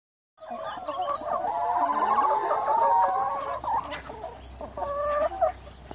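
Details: Flock of 180 hens clucking together, overlapping harmonic clucks and drawn-out squawks rising and falling in a dense continuous chorus, with a few sharper calls near the end.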